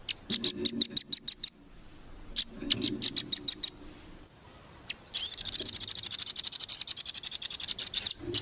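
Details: Nuthatch training song for competition birds: bursts of sharp, high, evenly spaced notes, then a long, fast, buzzy trill of rapidly repeated high notes lasting about three seconds.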